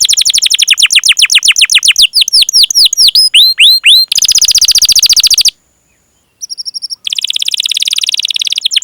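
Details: Domestic canary producing its long 'cuit cuit' rolling song as a lure for other canaries; swift trills and hooked whistles, a dense buzzing roll, a brief pause with a thin steady tone, then another high rapid rattle.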